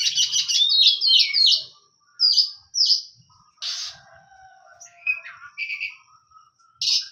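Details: Oriental magpie-robin of the hot type pours out quick rasping, upward-sweeping notes, then spaced harsh bursts and short two-part whistles, with a final loud rasp.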